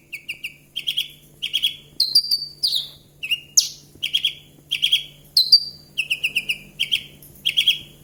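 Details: Javan bush lark song of repeated short buzzy trills with occasional higher slurred whistles, delivered in steady bursts about every half second.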